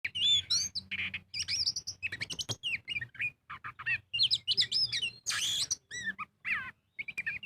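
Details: Oriental magpie-robin singing in full, energetic ngobra style, used as a lure to prompt other birds to sing: rapid varied phrases of clear whistles, slurred rising and falling notes and harsh buzzy bursts, with a low steady hum underneath.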